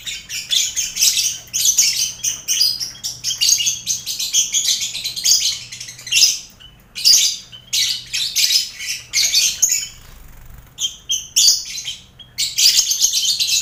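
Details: Lovebird colony in an aviary cage alongside finches and quail, birds being prepared for contests. Dense, continuous rasping chatter with rapid squeaky notes, broken by brief gaps, and a faint low hum underneath.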